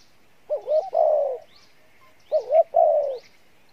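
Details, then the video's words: A good-voiced spotted dove gives Pha Bài Lối cooing: two phrases, each a quick double wavering note followed by a long, soft, falling coo. Light high chirps of small birds in the background. "Đồng Pha Bài Lối , tốt Giọng , Gù khá"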